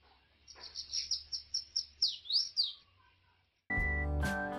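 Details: Mutation bananaquit kept in captivity delivers a quick run of about ten high, slurred whistled notes over two seconds, then loud music begins.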